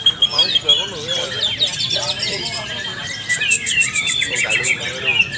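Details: Leafbirds known as cucak ijo, trained together, delivering ngalas nembak song: varied warbling and whistled notes with sudden rising sweeps, then a steady stream of quick metallic ticks in the second half.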